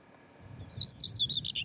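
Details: A male common whitethroat, just back from Africa, sings from a bramble song post near his nesting mate: a brief, scratchy warble of about eight quick high notes tumbling lower toward the end, over a faint low rumble.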